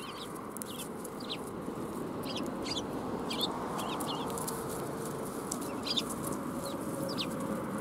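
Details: Flock of sparrows coming for food at a Tenmangu shrine, 1 January 2021: a steady series of short high chirps spread through the recording, several per second at times, over broad outdoor noise.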